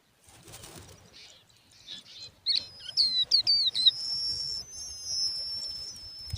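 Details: Hungry, thirsty lark chicks begging: soft rustling at first, then a burst of sharp high squeaky chirps in quick succession, followed by thin sustained whistled notes.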